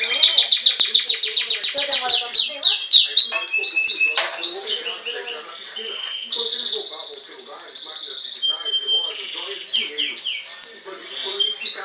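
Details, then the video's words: Belgian canary song from a captive bird: fast rolling trill at the start, then a medley of sustained whistled tones, buzzy stretches and quick slurred notes at varying pitches. "O Canto do Canário Belga"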